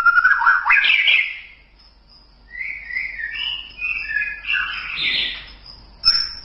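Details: White-rumped shama masteran song: a bright warbled opening, then long wavering whistled phrases that rise and fall in pitch, ending in a sudden loud note, with a faint steady high hum throughout.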